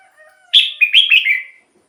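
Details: Red-whiskered bulbul singing in a cage, song played to lure wild birds or get captive birds excited: one loud, fluent phrase of four or five linked whistled notes, each dipping and sliding, fading at the end.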